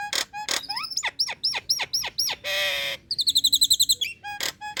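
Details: A female Nias hill myna calls to attract males. Clicks open into a row of about seven swooping upslurred whistles, then a long buzzing rasp, then a rapid volley of a dozen bright chirps before closing clicks.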